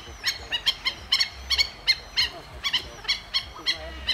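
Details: Flying steamer ducks in a private collection visited on an Aviornis excursion in Holland, 21 September 2024; a series of about sixteen sharp, nasal, harmonic calls repeated roughly every quarter second, over low background hum.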